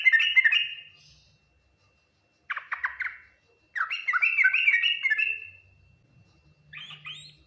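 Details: Yellow-vented bulbul performing the full Ngriwik Nguplik Tuklik-Tuklik song in four bursts of fast chattering, warbling notes separated by silences. The third burst is the longest.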